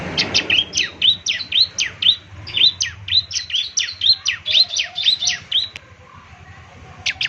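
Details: Ciblek semi in lively 'gacor' song, meant for morning playback so other birds answer: a regular series of about twenty-five high, sharply falling chirps, roughly two per second, then a brief pause and one final chirp.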